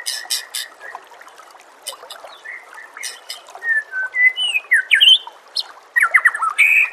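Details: White-rumped shama song for training captive birds, set against nature sounds and trickling water: a varied run of sharp chirps, then whistled slurred phrases rising and falling, ending in a burst of buzzy, rapid notes.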